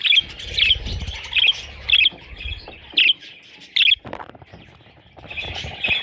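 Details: Young parrot chicks calling in sharp, high chirps repeated roughly every half second, with brief gaps of near quiet between the notes and a faint low rumble underneath.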